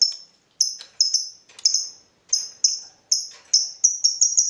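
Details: Lovebird in lively voice, meant to provoke other lovebirds into singing: thin, clear, high chirps, spaced unevenly at first, then quickening into a tight series of notes at the end.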